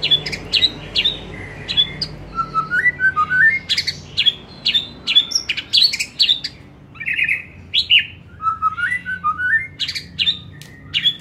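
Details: White-rumped shama singing in the afternoon, used as a lure to make other shamas sing more often and loudly: a rapid run of sharp whistled notes and clicks, with varied rising and falling phrases repeated in bursts.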